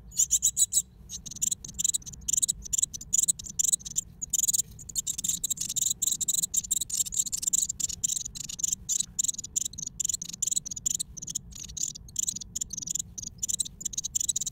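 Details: Great tit nesting in an old stove: a loud, dense, high-pitched buzzy chatter pulsing rapidly and almost without pause, broken by short gaps.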